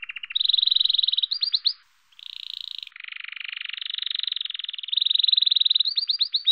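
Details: Male domestic canary giving its spring courtship song, a song it changes each year: fast high trills of rapidly repeated notes and rolling, buzzy tours, with one brief pause near the middle before further rattling trills, clean and unaccompanied.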